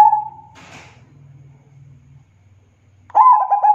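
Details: Local zebra dove (perkutut) song: a held cooing note fades out, a short scratchy rustle follows, then after a low-hum pause a new phrase of rapid rolling coos begins.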